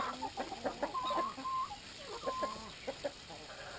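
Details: Brahma chickens at their water time give short clucks and brief, level squawks in irregular bursts, several birds calling over one another.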